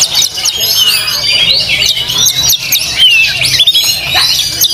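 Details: Caged Oriental magpie-robin (kacer) at a singing competition near Cikarang, its first contest after moulting, where it placed first. Rapid, high whistled notes and sharp sweeping phrases pour out densely, with other birds singing and people talking.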